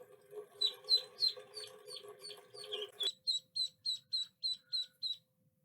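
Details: Duckling quacking: rapid high-pitched peeps about three per second, first over a low steady hum, then cleaner and evenly spaced after the hum stops abruptly.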